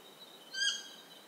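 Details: Ecuadorian Stygian owl gives a quick, clear call with strong overtones, swelling and dying away in under half a second, above an unbroken high insect hum.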